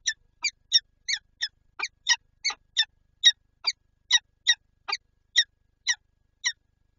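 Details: ['Peregrine falcon at its Lublin nest site with a pair and egg, 19 March 2022: a steady series of about eighteen harsh, clipped chup notes, two to three per second, loud and unaccompanied.']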